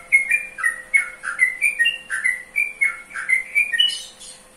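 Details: Trucukan, the yellow-vented bulbul, pours out a continuous chattering song of quick liquid whistles that dip and lift, several notes per second without a break, a thin steady hum underneath.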